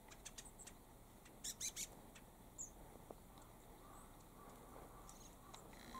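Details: About five long-tailed tits (shimaenaga) in deep forest in a mountain park in Sapporo, Japan, giving dry, ticking calls: scattered thin clicks and a quick run of three sharp notes, with a faint high see note, over a steady low hiss.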